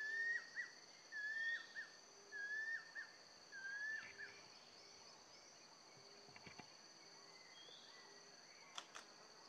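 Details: A female banded kingfisher calling to the male gives four clear, sliding whistled phrases about a second apart, then falls silent, over a steady high insect drone.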